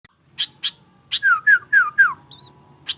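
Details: Sooty-headed bulbul singing vigorously: a few sharp high chirps, then four loud slurred whistled notes in quick succession, each falling in pitch, a thin rising whistle, and one more sharp chirp at the end over a quiet background.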